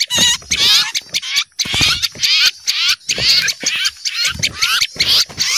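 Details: Small birds in a noisy alarm chorus, frightened at the sight of an owl: dense overlapping high chattering and rapid trills with short sweeping notes, bursting out in clusters about twice a second, with brief gaps between bursts.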